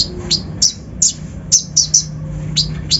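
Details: Brown-throated sunbird (kolibri ninja) lure song for provoking other birds: scattered sharp, very high chirps, sometimes paired, irregularly spaced over a low steady hum in the background.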